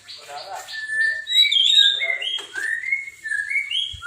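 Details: White-rumped shama competition bird in kilo style with strange mimicry: a string of clear drawn-out whistles, some rising and some falling, given in quick succession with short chattering notes between them.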